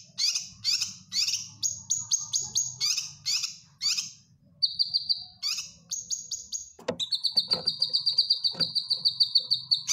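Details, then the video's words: Grey-cheeked bulbul (cucak kinoy) master song for training caged birds: high chirp bursts and short whistles, then a sudden switch to a long rapid trill of repeated high notes. "Cucak Kinoy Gacor Masteran"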